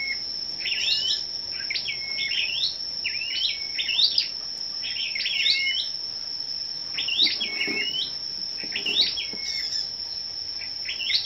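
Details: Competing scarlet-backed flowerpeckers on the morning of 10 May repeat a short, high, sharply zigzagging phrase about six times, roughly every one to two seconds. A steady shrill tone and faint low knocks are also heard.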